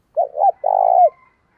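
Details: Spotted dove decoy call, loud and distinct, meant to stimulate wild doves: a short two-part coo, then a longer rolling, vibrating coo that ends in a slurred drop.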